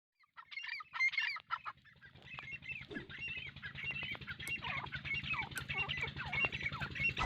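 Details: Grey francolin from Pakistan calling: loud, harsh, overlapping nasal notes in rapid, uneven series, several voices seeming to overlap, with a low steady hum underneath.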